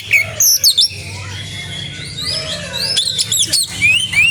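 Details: Kacer, the Oriental magpie-robin, in full gacor song; rapid clear whistled phrases sweeping up and down, mixed with high squeaky notes and quick chattering bursts, very loud and continuous.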